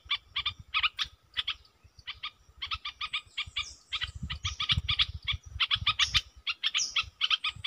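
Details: Decoy Red-whiskered bulbul calling steadily with bright chirped notes in pairs and short runs, some slurred upward whistles, over low rumbling background noise.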